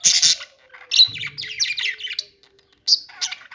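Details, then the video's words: Budgies give loud sharp chirps and rapid twittering phrases separated by short silences, with a faint steady low tone in the background. "budgies singing | budgie sounds | parakeet chirping sounds"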